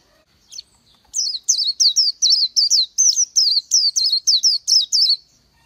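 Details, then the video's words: [1, 'Oriental white-eye singing a fast string of about thirteen high, thin, downslurred whistled notes, each with a sharp twist, running evenly for four seconds after a brief soft opening note.'] "Chim hót hay Vành Khuyên họng vàng đông dương | นกแว่นตาขาวสีทอง| Oriental White-eye"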